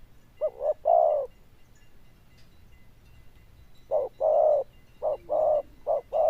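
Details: Caged zebra dove in Vietnam cooing in a loud bell-like style: short bursts of mellow, rolling, mid-pitched coos, a pair at the start, a pause of nearly three seconds, then a run of five more, with faint hum behind.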